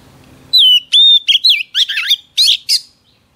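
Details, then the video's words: Female Oriental magpie-robin whistling to stir up a male: a long sliding whistle, a level whistle, then a run of harsh, buzzy trills and chattering notes, followed by quiet. "Chòe than mái HUÝT KÈM THÚC TRỐNG kích trống căng lửa"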